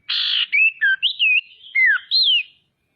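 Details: Female common iora (sirtu, cipoh) calling to provoke rivals; a harsh buzzy rasp followed by a clean sequence of varied whistled notes, some rising, some sliding down, in a quiet setting.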